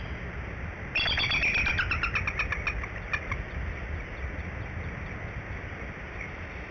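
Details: Female Bald Eagle on eggs at the Decorah nest at about 6:22 am on 17 March 2011, calling for the male to relieve her: a quick two-second burst of high, thin, squeaky chittering over a low rumble.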